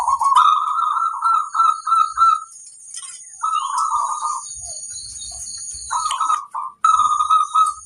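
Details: Local zebra dove song serving as a master recording so other doves start singing sooner. Bursts of rolling, warbled coos separated by short pauses, over constant thin high-pitched ringing tones.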